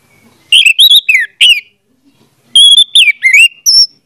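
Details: Lure song of an orange-headed thrush meant to make a mute bird start singing: two phrases of sweet, varied whistles with quick downward slurs, the second phrase ending in a high thin note.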